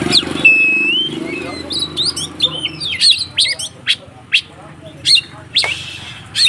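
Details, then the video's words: White-rumped shama singing its fighting song to provoke other shamas: a long flat whistle, then separated sharp chips and short harsh notes at irregular intervals over a low background hum. "SUARA BURUNG Kacer konslet TARUNG untuk PANCINGAN KACER agar ikut KONSLET"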